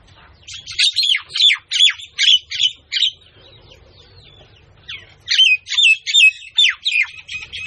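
Myna giving harsh, chattering notes with whistled inflections, about seven in a quick series, a pause, then another burst; faint low rumble beneath.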